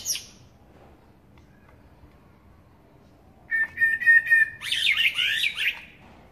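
A Eurasian blackbird sings one phrase: a low, fluty whistle of about a second, then a scratchy, squeaky twitter. Quiet background before it.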